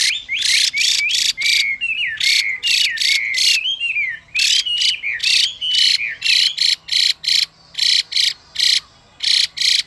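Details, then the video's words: Female Chinese hwamei call to stir a male to sing in captivity. Dense trains of scratchy, buzzy bursts are heard, first mixed with looping whistled notes, then clipped rasps spaced regularly near the end. "Họa Mi Mái Kích Trống Nhanh Căng Lửa, Họa Mi Mái Xùy Kèm Họa Mi Trống Hót Kích"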